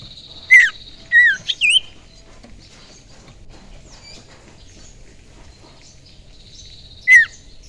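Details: Young wild common iora from the forest, recorded for use as a lure: a quick burst of sharp, slurred whistles sweeping down and up, followed by a long quiet gap and one final bright whistled note.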